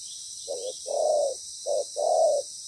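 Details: Spotted dove used as a decoy for trapping, a good-voiced moulting bird, delivering two soft paired coos, each a brief note and a longer even coo, against a steady high insect buzz.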